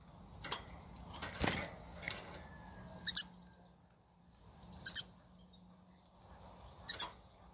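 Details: Wild European goldfinch from a 2019 recording used to stimulate caged birds to sing: after some rustling noise, three sharp high double chirps repeat roughly every two seconds.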